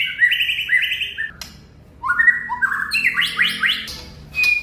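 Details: White-rumped shama, a competition-style bird, sings rich whistled phrases in stepped sequences, a lower series near the start, then rising, rapidly repeated notes climbing higher after a short pause, ending with a thin high whistle.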